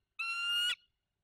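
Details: Bald eagle at its nest during the incubation of a single egg in November, giving one harsh, nasal, steady squealing note lasting about half a second, otherwise silent.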